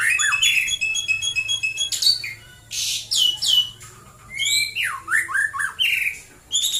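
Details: A white-rumped shama sings in the morning in Prambanan, Klaten, Central Java: a fast chattering trill, then separated bursts of varied whistles, sharp swooping downslurs and rising notes, with short pauses between phrases.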